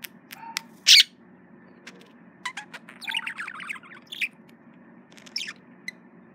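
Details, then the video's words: Pet male budgerigar courting a mirror indoors: sparse sharp clicks and a loud burst, then a short run of quick descending chirps and a few scratchy notes, with quiet gaps between. "Male Budgie/Parakeet Courting Mirror"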